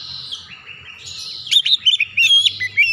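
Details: White-rumped shama song used to encourage other birds: soft warbling at first, then a quick series of sharp, high whistled notes and upward flicks in the second half.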